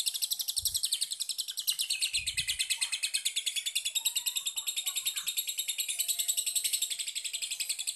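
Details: Lovebird chatter used as a lure to prompt other lovebirds to sing: a continuous, shrill, rapid trill of sharp high notes, about six per second, steady throughout, with two soft low thumps near the start.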